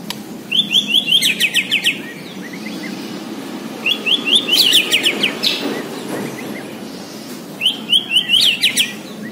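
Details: White-rumped shama from Borneo, kept as a singing bird: three bursts of fast repeated buzzy chattering notes, each phrase about a second long, spaced several seconds apart.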